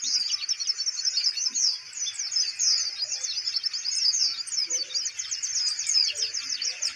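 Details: Caged kolibri ninja sunbird keeps singing while its cage is handled: a dense, fast, high twittering warble of thin chirps and trills running without pause, with faint low knocks from handling.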